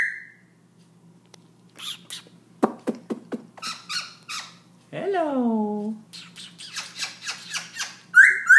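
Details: A black-throated laughingthrush singing non-stop at night around 11pm gives a jumbled run of harsh squawks, sharp clicks and a drawn-out, nasal downslurred whistle, then quick chattering notes, while a person repeatedly says "hello".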